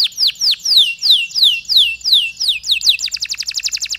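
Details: Canary long song with pauses, for stimulating other canaries: loud, clear downward-sweeping whistles repeated about twice a second, then a quick high rattling trill.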